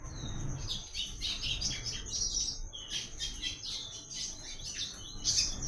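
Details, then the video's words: Double-collared seedeater from the Caatinga singing the "Tui Tui" song pattern used as a training reference. Rapid high, buzzy, slurred notes run in dense phrases through the clip over a steady high tone and low background rumble. "PAPA CAPIM CANTANDO MUITO"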